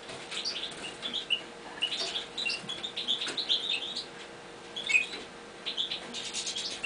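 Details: Captive Eurasian bullfinches, tried out in a new cage, give soft, short piping chirps scattered irregularly, with bursts of wing-flapping and rustling between them.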